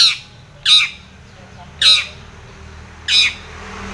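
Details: Long-tailed shrike provoking a rival with harsh, grating squawks: three loud rasping notes about every 1.2 seconds, separated by near silence.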